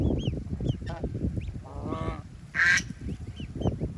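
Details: Baby ducks playing in water beside their family on a rural farm: high curved peeps at intervals, a buzzy drawn-out quack and a sharp loud quack, over a low rumbling background.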